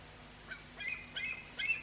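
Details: Bald eagle at the nest in Decorah, Iowa, giving three or four short, high, chirping notes with bright harmonics, spaced roughly every third of a second, over faint low background hum.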